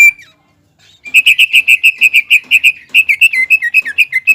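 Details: Greater green leafbird, singing to provoke other leafbirds into heightened song; a soft opening whistle, a short silence, then a rapid volley of loud repeated whistles shifting into varied, warbling notes.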